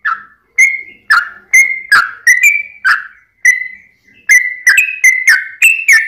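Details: Sooty-headed bulbul in a rapid lure song to prompt other bulbuls to sing. Mellow whistled notes come in short groups separated by brief silences, with a quicker cluster toward the end.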